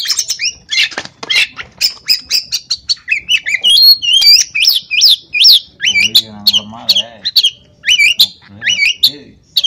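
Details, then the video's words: Uncaged oriental magpie-robin from Pemalang, Central Java, Indonesia, pouring out a loud, rapid song of varied high whistles, sharp slurred upsweeps and chattering notes, with lower, rasping, harmonic-rich sounds in the middle. "Burung KACER G4C0R Tanpa sangkar"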